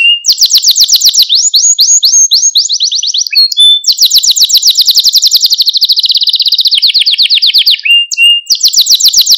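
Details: Canary singing on a training recording intended to teach and stimulate young canaries; long unbroken rolling trills that descend in steps, briefly interrupted by a whistled note, then resuming with fast high rolls.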